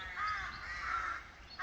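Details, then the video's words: A rook in St Breock churchyard, Cornwall, in the afternoon gives one long, harsh, grating caw lasting about a second, with a fainter rasp at the end; nothing else stands out. "Singing Rooks"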